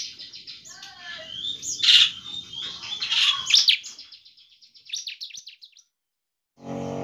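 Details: Bar-winged prinia in semi-full song, played as a lure to spur other prinias to sing: a soft high buzzy trill with a few louder sharp notes and wavering whistles, ending in a brief low noise.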